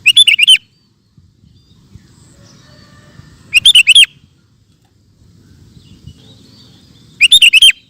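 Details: A sooty-headed bulbul used as a master singer for cage birds repeats the same short, lively phrase of five quick, liquid whistled notes three times, about every three and a half seconds, with soft background rumble.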